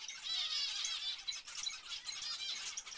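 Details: Zebra finch chorus of bright nasal beeps and squeaky chatter, continuous and crowded across the whole stretch.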